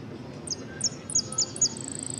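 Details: Saffron finch in a singing contest, 'amarillo sin cierre' category, Ciudadela interclub cup, 8 March 2014: a run of crisp, high down-slurred notes breaking into a quick even trill; soft background hum.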